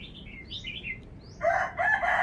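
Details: Red-whiskered bulbul kept in a cage, singing wild-style phleng pa phrasing: a smooth run of slurred, whistled notes dipping and rising, cut off by a loud rooster crow.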